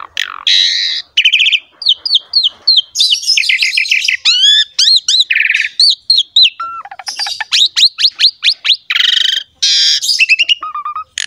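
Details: Javan pied myna singing hard in a long, varied sequence meant to prompt other mynas to sing: broad buzzy notes, rising and falling whistled loops, rapid sweeping strokes and a brief low piping phrase.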